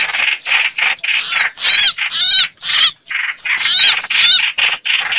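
A red-whiskered bulbul gives a busy stream of bright chattering notes, some slurred and scratchy, about two per second. Several birds seem to call together.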